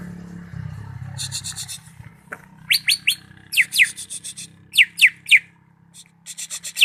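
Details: Greater green leafbird from Malinau mixing scratchy buzzing trills with clear downward-sweeping whistles given in pairs and triplets, against a low mechanical hum.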